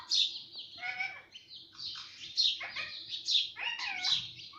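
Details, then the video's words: Domestic parrot known for talking, reportedly saying papa and mummy; continuous raspy, voice-like chatter with layered harmonic syllables and brief high squeaks running through the whole stretch. "parrot talking everything - talking parrot"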